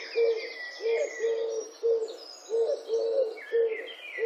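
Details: Purring coos of European turtle doves at Wittlich in 2017, short level notes given in pairs and repeated steadily, while other birds chirp and whistle in the background.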